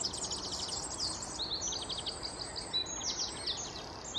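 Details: European serin (Serinus serinus), heard as rapid high-pitched jingling trills mixed with thin, clear whistled notes, running continuously with steady background noise.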